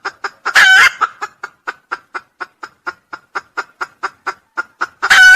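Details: Crowing of a red junglefowl, as a lure sound: rapid, regularly repeated short clucks fill the clip, with one loud harsh crow burst near the start and another at the end.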